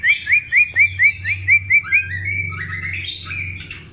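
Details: A long-tailed White-rumped shama during a pairing process gives eight quick upslurred whistles, about four per second, then loud, varied warbled phrases over a low hum.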